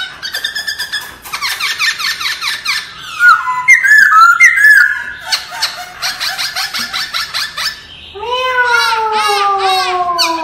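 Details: Caged laughingthrush in forest-style song training, pouring out varied loud whistles: rapid repeated chirping notes, a burst of sharp rising-falling phrases, then long, smooth, slowly descending whistled notes layered with higher harmonics.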